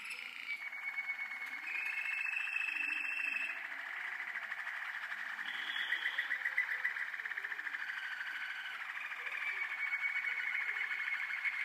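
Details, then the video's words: Young Waterslager canaries, the Malinois breed, in 2012, delivering a sustained, watery, rolling song of rapid repeated notes. It shifts pitch in several long sections, with short higher flourishes early on. "Jeunes malinois Waterslager 2012"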